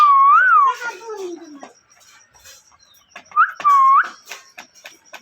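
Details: Parrot giving loud, wavering whistled notes that rise and fall. There is a long slurred phrase at the start, a descending tail, then a pause before two shorter looping whistles, with scattered soft clicks between.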